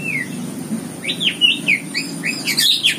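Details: Greater green leafbird near an aviary in the mountains, giving a rapid run of varied, slurred whistles and chirps, high and bright, with a steady low hum underneath.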